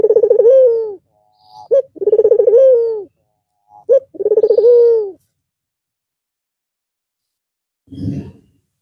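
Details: After a long pause over Eid al-Fitr, a white Barbary dove with red eyes coos three times in quick succession, each a short lead-in note and a rolling low tone, followed by silence and a soft rustle.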